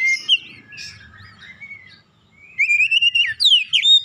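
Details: Oriental magpie-robin song used to prompt other birds: soft, thin warbling at first, then after a short hush a loud, smooth rising whistle followed by sharp downward and upward slurs.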